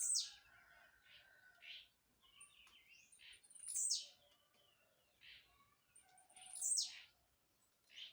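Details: Blue-black grassquit that hops while singing, giving three buzzy, downward-swooping high notes about three seconds apart, each set among soft chirps, over a quiet background.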